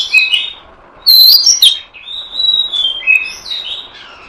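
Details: Oriental magpie-robin lure sound for trapping birds: a run of varied whistled notes, one loud clear burst in the middle, then softer drawn-out whistles that slide down and back up.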